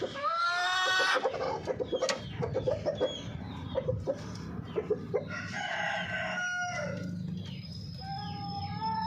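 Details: Golden Misri hens and rooster: a loud crow with stacked harmonics in the first second, then a run of short, irregular clucks, and later drawn-out nasal cackles, with a steady low hum underneath.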